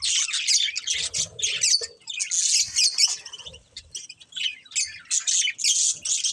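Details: Pet budgerigars chirping: dense bursts of scratchy, buzzy warbling chatter, high and harsh, broken by short pauses, with a few rapid clicking notes between phrases.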